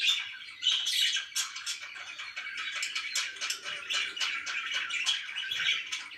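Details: Budgerigars kept as pets indoors chirp in quick, clicking, rattly bursts over a continuous background of warbled chatter.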